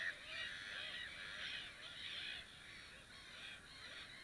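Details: Black-headed gull nesting colony on 2 May 2015: many birds calling at once, rasping and screechy, with repeated downward-curving notes rising out of a steady clamour.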